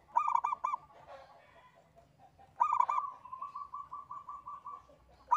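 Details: Local zebra dove singing alone as a lure: two bursts of quick cooing notes, the second trailing into a long run of fainter, evenly repeated softer notes over a noisy background.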